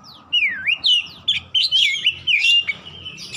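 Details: Oriental magpie-robin song for coaxing a silent bird to sing: a continuous stream of loud, rich whistles with a deep downward swoop at the start and quick rising-falling slurs after, over a low hum.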